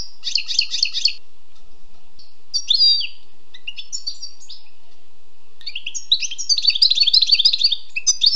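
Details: Wild European goldfinch: a rapid trilled phrase, then scattered chirps and short twittering bits, then a long, dense stream of jangling, fast notes in the final seconds.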